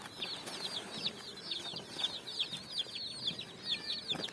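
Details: Coloured chicks scurrying on sand; high falling peeps repeated roughly every half second amid a softer background of other chicks, plus a few light scuffs.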